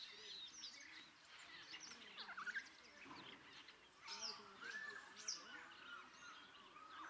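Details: Rüppell's starling in Kenya giving a busy mix of chattering notes, squeaky whistles and slurred rising squeals, with other birds' chirps and a low background rumble.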